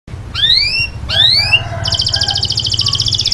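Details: Male canary singing to a female: two sharply rising whistled sweeps, then a fast, even, buzzy trill over a steady low hum.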